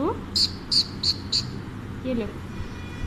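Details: A talkative pet Alexandrine parakeet perched on its owner while being offered biscuits gives four short, sharp, high chirps about a third of a second apart, followed by a brief low murmur like a human voice.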